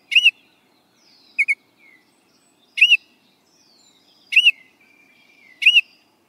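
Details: Baltimore Oriole repeating short, clear whistled notes, some doubled, roughly every one and a half seconds, with faint thin slurs between them in a quiet setting.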